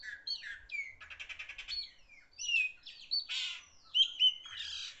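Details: Chopi blackbird, a loud songster, pouring out a dense jumble of slurred whistles, rattling buzzy notes and harsh chattering bursts with hardly a pause.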